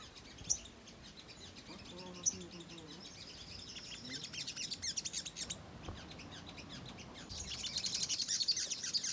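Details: Lure recording of a ruby-cheeked sunbird, used to provoke birds to respond: busy stream of thin, high chirps and trills, building to a denser, louder twittering run near the end.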